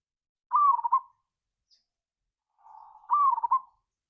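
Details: Local zebra dove used as a lure to trigger other doves to sing, in the ngayer kerot nutut style: two short, rolling, trilled coo phrases about two and a half seconds apart, with a softer purr before the second, in silence.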